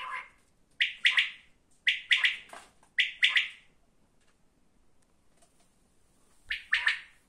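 Quail giving loud, ringing, clipped phrases of two or three quick notes, repeated about every second with a pause before the last burst.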